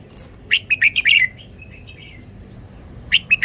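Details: Red-whiskered bulbul song: a lively phrase of rapid, chirpy, rolling notes that ends in a short slur. A second phrase begins near the end against a quiet background.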